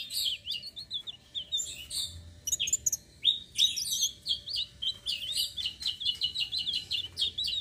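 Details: Rolling song of a citrine blue-shawled flowerpecker, used as a lure for other birds: high, thin chattering phrases that settle into a rapid series of short, repeated, ticking notes.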